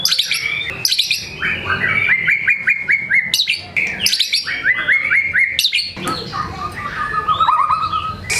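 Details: Energetic white-rumped shama pouring out varied repertoire material: sharp high chips, then rapid series of clipped rising notes repeated in runs, ending with a steady whistled phrase.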